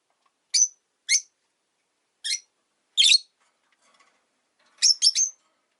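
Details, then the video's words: Rosy-faced lovebirds, five in a cage beside a window, chirp in winter. Single piercing chirps are spaced about half a second to a second apart, and a quick triple chirp comes at the end. Faint background murmur. "Lovebird Chirping Sounds"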